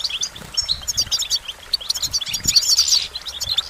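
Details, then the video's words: Clean goldfinch song: sparkling, high twittering notes and short liquid trills in quick succession, building to a dense burst of chirps, with little background noise. "Goldfinch Motivation Performance"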